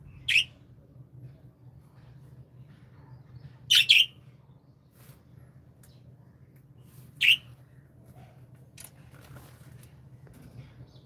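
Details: Pet budgerigars, called happy Australian parrots, give sparse bright chirps indoors: a single note, a quick double chirp, then another single chirp, spaced by quiet stretches with a low hum.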